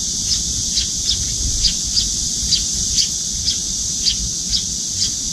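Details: A young Eurasian tree sparrow begs food from its parent at a window feeder, wings quivering. Thin, bright chirps repeat at a fairly steady pace, roughly twice a second, against a constant high-pitched background hiss.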